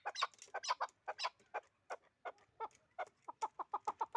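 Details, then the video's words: Chukar partridge used for hunting utters fainter clucking notes at uneven intervals, tightening into a quicker run of short chucks near the end. "Кабки Дулангибрид"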